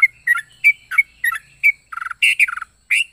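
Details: Yellow-vented bulbul with unusual, many-flavoured calls: sharp chirps about every third of a second, then a short rattled phrase and harsher squawky notes.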